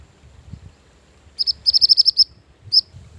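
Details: {'caption': 'Mantenan gunung song used for luring and training other birds: two sharp high chirps, a rapid trill-like run of seven more, then one final chirp, over low background rumble.'}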